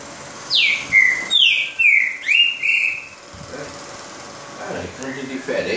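Green-winged saltator giving a loud phrase of five clear whistled notes, the first sliding down, over about two and a half seconds; a man then speaks.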